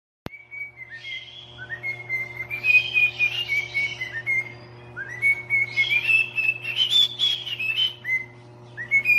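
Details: Pet parrot singing indoors: a run of clear whistled melodic phrases, sliding up and down, some notes held, with short gaps between phrases and a steady low hum underneath.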